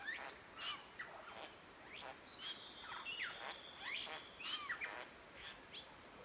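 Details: Satin bowerbird up in trees by a creek on a rural forest property in Victoria, Australia, giving a varied run of sharp chirps, quick rising and falling whistles and buzzy notes with one long steady whistle; possibly courting a female or scaring a rival.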